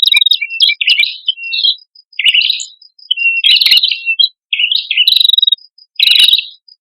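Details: A male and female red-headed prinia singing vigorously for a bird lure; high, jumbled warbling bursts about a second long, separated by short silences, with thin ticking overhead.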